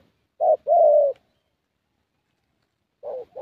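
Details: Spotted Dove, a young 'thổ' bird recorded at a decoy session, gives a low hollow coo, short note then drawn-out note, a long pause, then the next phrase beginning softly at the end.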